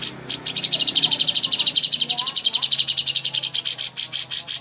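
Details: Greater green leafbird song meant as a master for contest birds: a long, steady, rapid trill of high ringing notes that grows louder and more spaced toward the end.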